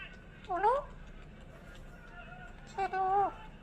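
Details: Pet parrot being coaxed to talk: two brief tonal, harmonic utterances, the first sliding upward, the second held and wavering then dropping, over a quiet indoor hum.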